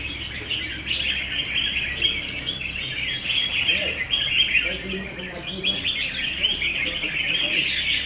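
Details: Red-whiskered bulbul singing battle, with many birds chattering at once in a rapid stream of sweet chirping phrases, punctuated by occasional clear whistles, faint voices and a low background drone.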